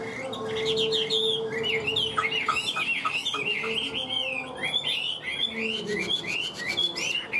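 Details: Captive hwamei in full song: dense, rich whistles tumbling through rising and falling slurs, bright and continuous, with a steady background murmur.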